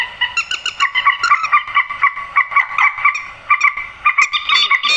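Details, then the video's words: Grey-headed swamphen calls played to lure birds into nets at night: loud, harsh, nasal notes with rich overtones, repeated rapidly at about three per second in an unbroken series. "tiếng trích ré"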